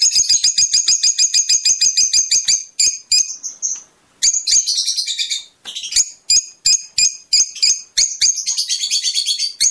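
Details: Fischer's lovebird in song that stimulates mating, a steady rapid series of sharp high chirps, roughly three per second, with one brief pause midway before the rhythmic chirping resumes.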